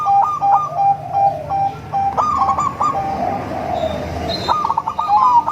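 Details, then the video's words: Local Bangkok-cross zebra dove singing sweetly to attract other zebra doves: a string of short even coos, then a rolling trilled phrase and more spaced notes, ending in another trill; faint high chirps in background. "Perkutut lokal#krosing#bangkok suara merdu untuk memancing perkutut anda"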